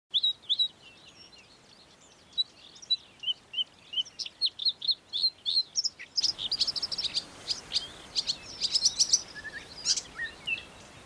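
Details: Marsh warbler from Russia singing a fast, varied run of high chirps, trills and buzzy notes, with an abrupt break near six seconds before a denser, louder stretch of rapid sharp notes follows.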